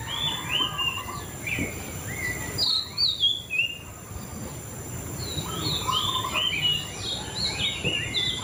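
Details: Murai cacing, the white-rumped shama, pours out rapid bursts of sweet whistled notes and slurred phrases, with a brief pause mid-song before resuming more densely, set against constant low hum and hiss.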